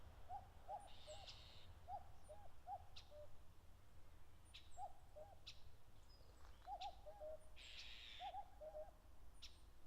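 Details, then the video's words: Common cuckoo on grassland at the foot of Mount Fuji, Japan, in late May, busy with territorial disputes, giving its falling two-note 'cuck-oo' every second or two, over a low rumble with faint chirps of other birds. "カッコウ 鳴き声 縄張り争いに忙しい"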